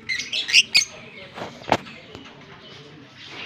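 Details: A Fischer's lovebird and blue personata lovebird pair kissing in Larkana, Sindh, on October 20, 2023; a quick run of bright, high squeaky chirps opens, followed by a clack and quieter rustling.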